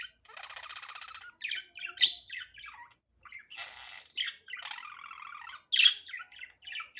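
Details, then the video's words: Budgerigar chattering naturally, unedited: long buzzy rattles alternating with harsh squawks and quick chirps. "Muhabbet Kuşu Doğal Sesi"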